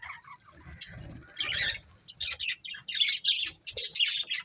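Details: Pet budgerigars kept as a family group, giving bursts of short, buzzy, scratchy chirps and chatter that quicken into a dense run of warbling notes toward the end, with a faint low rumble underneath at the start.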